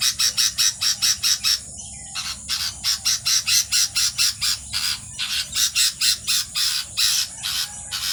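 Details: Several baby birds in a nest give loud, harsh rasping squawks in rapid rhythmic pulses, about four a second, with overlapping rasps and a few short breaks.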